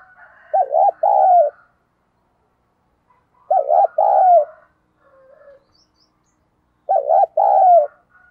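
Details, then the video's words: Spotted dove decoy call aimed at luring wild doves quickly. Three matching phrases about three seconds apart, each a doubled coo then a longer falling coo, over faint twittering of other birds. "cu gay kich boi nhanh noi"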